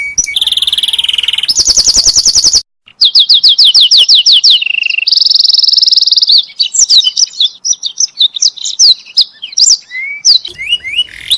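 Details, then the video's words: Canary song meant for training other canaries: a rolling trill, a very fast rattling burst, descending repeated notes, a steady buzzy trill, then scattered high whistled chirps and sweeps. "Coba Masteri Burung Kenari Anda Dengan Burung Kenari Ini"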